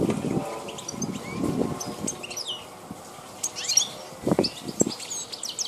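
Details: European goldfinch of the wild form called Carduelis balkania, recorded in 2010. Scattered bright chirps and quick twittered phrases, with brief low knocks and rustles between them.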